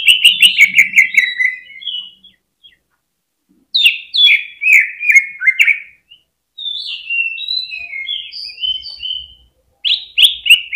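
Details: Stimulating song of a greater green leafbird to get other birds singing hard: a fast chattering run of slurred notes, a pause, a bright tumbling phrase, then varied high whistles and another rapid burst.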